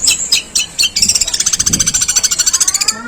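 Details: Long-tailed shrike with coarse sparrow-like mimicry: a few spaced harsh chirps build into a fast, even rattle of high scratchy notes, with faint low murmurs in the background.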